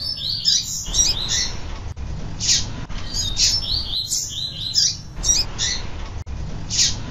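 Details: Female double-collared seedeater calling insistently, a sound used to excite males into singing: bursts of high, quick chirps and twittering notes repeated in clusters every second or two, broken by sharp loud single notes, over a steady low background hum.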